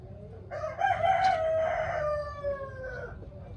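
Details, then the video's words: Chickens inspecting their new coops; a rooster's drawn-out crow with a rising start and a long falling tail lasting about two and a half seconds. "Las gallinas inspeccionando sus nuevos gallineros"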